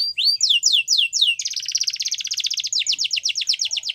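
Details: A Yorkshire canary delivers its training song for young birds: a few slow descending whistled sweeps, then a long fast buzzy roll, followed by quicker repeated downslurred notes.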